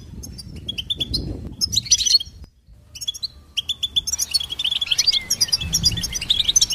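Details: Hybrid goldfinch singing a fast liquid twittering song of high chirps and buzzy trills, briefly pausing midway, then resuming in a denser burst of jingling notes.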